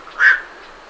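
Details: A single abrupt, hoarse quark from a night heron leaving its roost, recorded at medium close range, over a quiet background.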